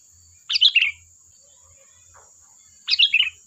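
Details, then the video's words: Lure song of a lively sooty-headed bulbul to provoke replies, with two busy warbled chirp phrases about two and a half seconds apart, each stepping down in pitch, a faint note between, steady high hum behind. "Suara burung Kutilang Gacor || Ampuh untuk pancingan, dijamin nyaut"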